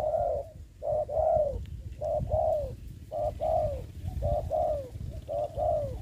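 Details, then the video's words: Spotted dove used as a ground decoy for trapping wild doves in Đồng Nai during the covid season. It gives repeated low, hollow coo phrases, each a short note followed by a longer downward-sliding coo. About five phrases come in six seconds over a low rumbling background. "bẫy cu gáy cùi bắp clip17(bẫy cu gáy mồi đất ) đánh cu gáy"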